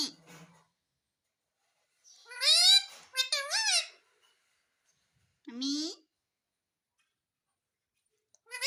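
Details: Parrot imitating speech to ask for roti: a faint opening word, then a bright run of three quick bending syllables, a pause, and a single short word, with quiet gaps between.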